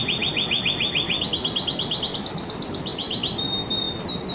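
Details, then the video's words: Canary song with rapid repeated chirped notes climbing in pitch across successive phrases, then a piercing thin whistle, all over continuous low background hiss and rumble. "تغريدة طائر الكناري"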